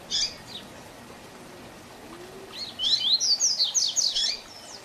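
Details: Tutor song of the Tui Tui Zel Zel type from a double-collared seedeater: one early chip, a pause of over two seconds, then a rapid, loud series of high sliding whistles.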